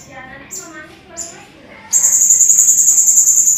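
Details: Blue-crowned hanging parrot in a tutor recording for training contest cage birds: a couple of thin high squeaks, then a loud, sustained, very high buzzy trill of rapid even pulses, with low voices faintly heard before the trill starts.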